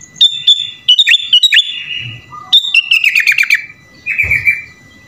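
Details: Sooty-headed bulbul (kutilang) in lively 'gacor full isian' song, a style packed with phrases of other songbirds: clear whistled notes near one pitch, sliding buzzy phrases, then a rapid rattling trill and a falling slurred note, with soft low background rumble.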